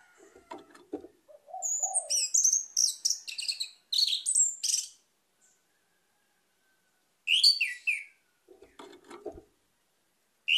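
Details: Orange-headed thrush song with bursts of varied high whistled and chattering phrases, separated by short pauses, plus a few lower rough notes and brief silences.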